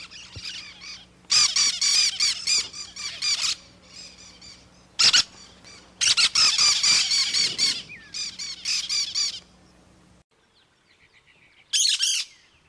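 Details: Cactus parakeet giving long chattering runs of harsh screeches in quick succession, broken by short gaps, ending with one more screech after a near-silent stretch; a low hum runs beneath.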